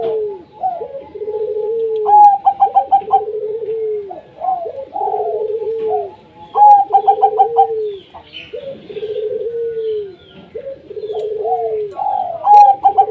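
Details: Zebra dove song of the local wild type, played as a lure to get lazy doves singing: phrases of quick stuttering pulsed notes, then low, drawn-out rolling coos, repeated about every four to five seconds with overlapping voices and faint higher chirps.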